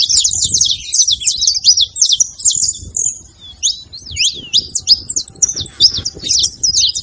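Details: Saffron finches in song, used to stimulate a quiet canary: quick high chips and rising and falling slurs crowd together, briefly thinning midway, over low background noise.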